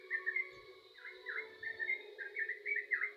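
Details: Yellow-vented bulbul giving a short, quieter burst of energetic song: a few paired, bubbly slurred notes against a steady droning hum and a couple of low thumps.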